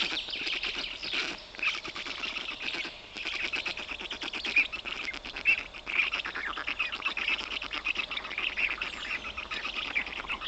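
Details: Black stork chicks at the nest in Notecka Forest, Poland, on 18 June 2021, as the father brings large fish for dinner; continuous rapid, rasping pulsed calls, rising and falling in intensity, over a steady background hiss.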